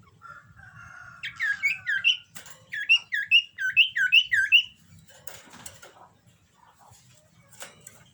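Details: Common iora in breeding condition sings a lively phrase of rising and falling whistled notes, then a run of about eight quick bouncing two-part whistles, followed by faint clicks and rustling.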